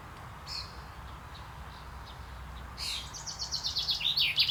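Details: Male common chaffinch singing during courtship, recorded 28 May 2024. After faint distant notes, a loud rapid series of bright, sharp notes builds steadily in volume over about two seconds and ends in an emphatic flourish. A low background hum is present throughout.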